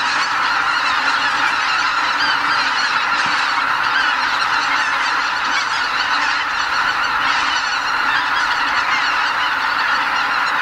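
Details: Pre-dawn roost departure of about 80,000 greater white-fronted geese at a Ramsar wetland, Lake Miyajimanuma, Hokkaido, migrating north in spring; a continuous, thick babble of honking goose calls, occasional louder individual notes rising above the mass.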